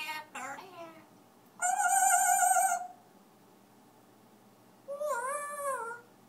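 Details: Pet African grey parrot singing indoors: a brief descending chatter, then a long, loud, steady harmonic whistle of about a second, and later a wavering, warbled phrase.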